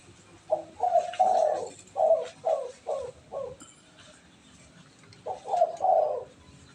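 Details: An indoor spotted dove, trained to call readily, delivers low hoarse cooing phrases: a long double coo then three clipped descending notes, a pause, and the phrase starting again.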